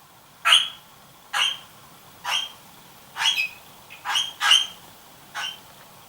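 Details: A female red-rumped parrot, newly interested in the nest box and poking her head inside while the male sits nearby, gives seven short, sharp squeaky chirps about one per second over a faint steady high whine.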